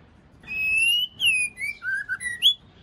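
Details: Female white-rumped shama song meant to stimulate males: a series of pure whistled notes, long and level at first, then shorter notes stepping down and rising again at the end.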